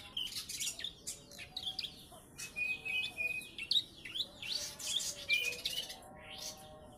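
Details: Three-month-old Bar-winged prinia trained on ciblek song, giving quick runs of high chips and upslurred notes with brief whistled strokes, in phrases broken by short gaps, with a constant faint hum behind.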